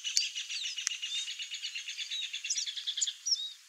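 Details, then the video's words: Free-living chestnut seedeater: a rapid, fairly even high trill of many short notes, about six per second, ending in a few brighter whistled slurs, against soft background chatter. "CANTO do CABOCLINHO-DE-CHAPÉU-CINZENTO livre na natureza (SPOROPHILA CINNAMOMEA) CHESTNUT SEEDEATER"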